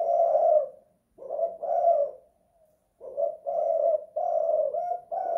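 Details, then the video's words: Spotted dove (tekukur) indoors in a house, in the coo style called kuk 2 / guk 1: a hollow, low coo, then a pause, then a run of short and drawn-out coos at steady pitch. "Tekukur kuk 2 / guk 1"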